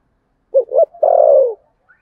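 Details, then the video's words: Spotted dove giving contest cooing in the Sấm Thổ voice style: two short, low, quick coos followed by one long, drawn-out coo that slides gently downward, a single phrase in quiet surroundings. "tiếng cu gáy thổ sấm/ chim cu gáy gù đấu và thúc bài bản giọng Sấm Thổ"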